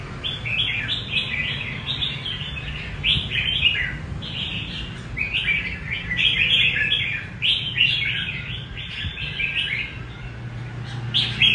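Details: Red-whiskered bulbul, a kept bird, singing in the prized 'rê cầu' style: rapid, continuous run of warbled, chirpy phrases, each under a second, packed back to back with slight pitch jumps, over a steady low hum.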